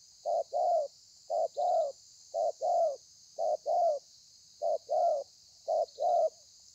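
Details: Spotted dove, a wild-caught bird, delivering its thổ pha call style on 30/11/2020: a clipped coo followed by a longer rounded one, the pair repeated roughly every second, with constant background hiss.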